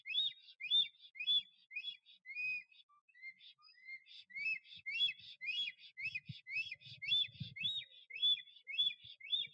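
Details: At a nest in Notecka Forest, 12 April 2023, a male black stork sings and shows off to attract a female. A long run of high whistled, bending notes, about two per second, has a short pause and then rushes on, with soft low thumps.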